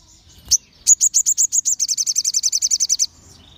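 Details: Crimson sunbird, 'ombyokan' style meant to trigger answering song from other sunbirds: a single chip, then a steady high trill of roughly twenty-two notes over two seconds, speeding slightly midway.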